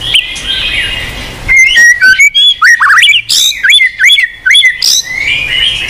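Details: White-rumped shama song used to coax a silent caged bird into singing: after a soft hiss, a run of loud clear whistled notes and quick slurred swoops, evenly spaced bursts.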